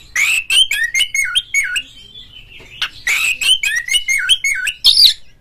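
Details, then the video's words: Energetic 'ngeplong' singing from an oriental magpie-robin, meant to set other magpie-robins singing: two runs of clear swooping whistles, each note dipping and rising, separated by a short quieter thin whistle. "suara panggilan Kacer NGEPLONG nge-play Ngobra GACOR bikin semua JENIS BURUNG KACER ikut GACOR"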